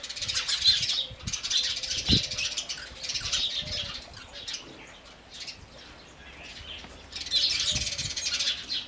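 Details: Chirping house sparrows in repeated bursts of quick, high, overlapping notes, fading mid-clip and then swelling again near the end, with faint low thuds underneath.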